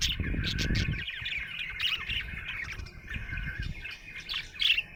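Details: A happy budgerigar chirps in a continuous chattering warble of rapid, scratchy notes and short squeaks, a sharper squeak near the end, over low rumbling background noise that is loudest at the start.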